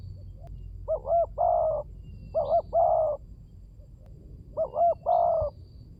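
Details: Lure cooing of a spotted dove: three phrases, each a double looped note and then a long, throaty coo, spaced about two seconds apart over light background noise.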